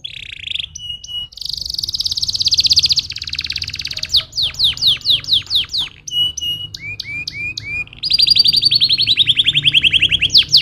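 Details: Canary song used to stimulate other canaries: loud varied runs, a long fast trill, series of sharp descending sweeps, short upward slurred notes, then another rapid rolling trill, continuous and intense.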